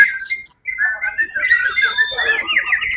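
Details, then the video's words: Singing white-rumped shama at a songbird competition, Suara Agung event, 1 October 2023, where it won first place: a short whistled phrase, a brief silence, then a rich tumbling run of high and mid notes. "murai batu"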